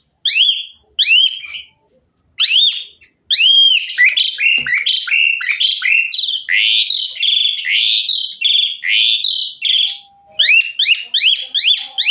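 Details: Asian pied myna song in a rich, varied style, used to coax other mynas into singing: loud strings of rising whistled notes with harmonics, then a dense run of chattering, buzzy phrases, and rising whistles again near the end.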